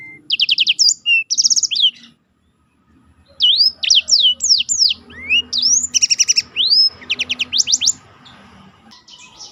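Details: Tutor song of a black-throated canary for training contest birds: buzzy rapid trills alternate with bright swooping whistles, a two-second silence in the middle, then a dense burst of sliding notes and fast trilled rolls.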